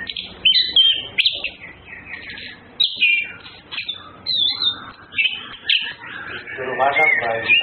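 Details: Orange-headed thrushes, males and females courting: a loud, varied song of clear whistled phrases, rising and falling slurs and scratchy chatter, in repeated bursts of about a second, ending in a buzzy warble.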